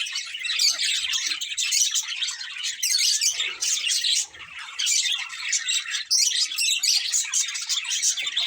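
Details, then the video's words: Pet budgerigars chirping in a thick, nonstop chorus of high, buzzy warbles and quick squawky notes, one short lull near the middle. "Cute Budgies Chirping Sounds"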